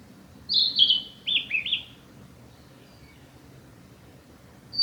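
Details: Song of a male narcissus flycatcher on the Hinata forest road, recorded 15 May 2021; a high whistled note dropping into a run of quick downward-stepping warbles, a pause, then the next phrase beginning.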